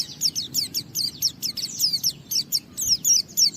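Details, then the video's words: White-eye gacor song used as a lure for other white-eyes: fast, steady series of thin high downslurred chirps, roughly four per second, over faint background noise. "Suara Burung Pleci ini Raja Menggoda Semua Pleci cepat Ngalas Ngeplong Gacor"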